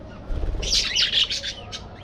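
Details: Aviary budgerigars flying and playing give a loud, brief cluster of shrill, scratchy chirps and squawks, fading with one last high note.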